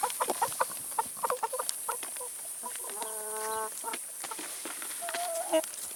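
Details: Several chickens feed on salad and vegetables: scattered clucks and pecking taps, then a held, evenly pitched harmonic call lasting under a second, with another brief drawn note near the end.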